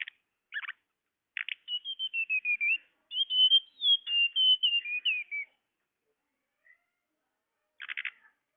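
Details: Lure sound of a tledekan: short buzzy rasps, then two long strings of bright whistled notes stepping downward, and a final burst of harsh buzzing.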